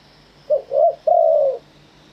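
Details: Spotted dove in true Thai wild-style phrasing (kharm pa thae) giving one complete phrase: a short coo, a rounder middle coo, then a long level coo fading downward at the end.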